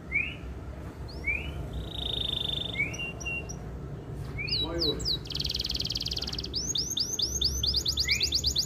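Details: Canary singing a long, bright, varied song of rising upslurred whistles, a sustained rolling tour and rapid repeated chirps, over a low background hum. It is used as a master recording to stimulate breeding readiness in female canaries.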